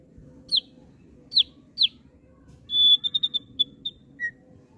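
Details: Thick-billed heleia kept in care, giving three sharp high descending chips, then a whistled note followed by a quick run of short high notes and a lower closing note; faint low background hum.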